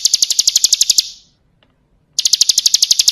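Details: Full-fill kristal song of a bar-winged prinia, a tutoring recording: a second of quick, ringing high chips, a pause of about a second, then the same rapid series starts up again.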